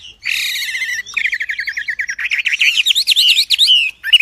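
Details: Wambi in full lively song: a buzzy opening, then a rapid train of repeated chirps followed by fast varied, slurred and warbling notes, loud and continuous.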